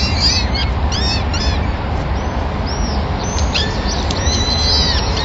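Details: Peregrine falcon nest in Madrid on 26 April 2016, while the male feeds a small bird to all the chicks as their first meal of the day; quick, arched chirping cries in clusters over a low steady hum.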